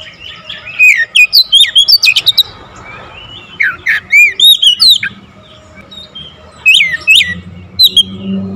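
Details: Oriental magpie-robin singing vigorously in a rapid, tightly packed full-variation fill-in song: bursts of bright whistled upslurs and downslurs mixed with sharp clicking notes, a pause midway, then more varied whistles.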